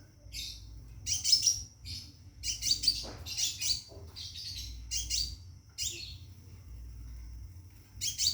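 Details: Caged scarlet minivet calling to a female to mate, giving short bursts of high, sharp chirps in separate clusters, with a thin steady high tone running underneath and a low hum in the background.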